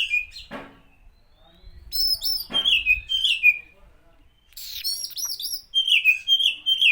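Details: Oriental magpie-robin song used as a lure to provoke other magpie-robins. Clear, high, whistled phrases slur downward in short series, with sharp clicks and sudden bursts of bright notes between them.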